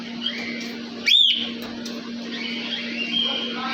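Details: Aviary cockatiel: one shrill, arched whistle stands out over faint chattering from other birds and a constant low electrical hum.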